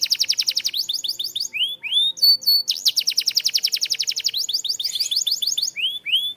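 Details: Canary singing, used as a training song for canaries: fast, high, rattling trills of rapidly repeated notes, broken by a few upward-sweeping whistles and short buzzy phrases, delivered almost without pause.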